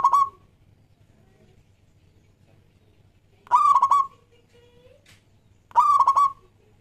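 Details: Local Indonesian zebra dove in full song, used as a lure to attract other doves: three bursts of rich, bubbling coos, each a quick stutter of notes ending in a held tone, spaced several seconds apart in quiet surroundings.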